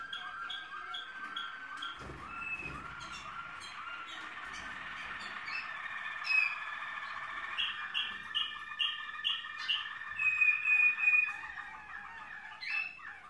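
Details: Waterslager canary singing in the malinois style, a varied run of rolling, water-like trills and bubbling phrases with clear whistled notes, growing louder and more rhythmic toward the end, with faint background rumble.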